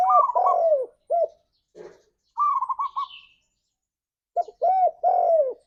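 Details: Spotted dove, recorded as a lure for pet doves in wild forest style: repeated groups of deep arched coos, with a higher trilled, stuttering coo between them and faint high chirps of another bird.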